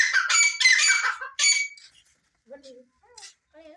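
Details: Black francolin (teetar) chicks, Irani bird: harsh, buzzy squawking notes rich in overtones, in rapid bursts for about one and a half seconds, then quiet human voices.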